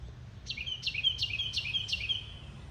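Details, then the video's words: Bird song: a series of five bright, high whistled notes, each dropping sharply then holding briefly, repeated rhythmically about every third of a second over quiet low background noise. "Bird singing"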